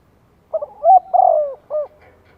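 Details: Spotted dove in Vietnam, a decoy bird calling to lure wild doves: one soft cooing phrase of a short stutter, a long level coo that slides downward, then a brief final coo, in a quiet setting.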